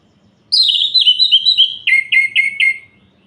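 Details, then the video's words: Orange-headed thrush at night, singing to rouse other males: a smooth descending series of clear whistles, then four sharp, evenly spaced chipped notes, all high and bright over a quiet background. "Suara Ini Bikin Gerah Anis Merah Lain"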